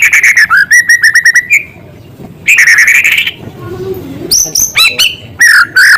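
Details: White-rumped shama in full song, delivering filler material of small-bird sounds: loud buzzy trills repeated quickly, a long rough rising phrase, then sharp high whistles and chattering notes, with a quiet pause midway.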